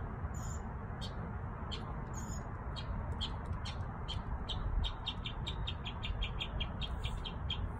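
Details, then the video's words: Backyard birds singing: thin, high chirps repeated in quickening series, quiet above a steady low rumble of background noise. "Backyard birds singing"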